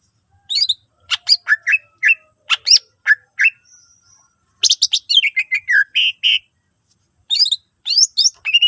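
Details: Long, varied greater green leafbird song aimed at prompting other leafbirds to sing: quick sharp chips and slurred whistles in bursts, a brief pause, then fast tumbling phrases with downward whistles and high chirps.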